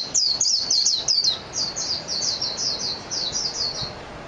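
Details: High, sweet twittering of a Japanese white-eye: a quick series of sharp chirps that softens into a steadier string of thin, evenly spaced notes, fading toward the end.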